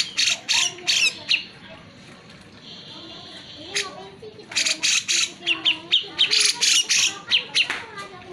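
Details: A lively Grey-cheeked Bulbul gives harsh, squawking chatter in quick bursts, about three or four a second, with a brief quieter pause midway, used to stimulate reluctant bulbuls to sing.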